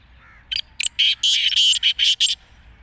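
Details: Black francolin, known locally as kala teetar, calling: a loud, harsh, grating phrase of about seven rasping notes. Two short notes open it, then a tight rhythmic run of longer scratchy bursts, over faint low background hum.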